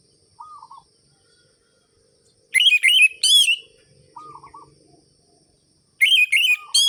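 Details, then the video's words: Orange-headed thrush delivering lure song to revive sluggish birds: two quick bursts of sharp, wavering high whistles, separated by pauses with faint low wavering notes and a soft murmur. "ANIS MERAH GACOR ABIS untuk pancingan bunyi burung anis merah yang loyo"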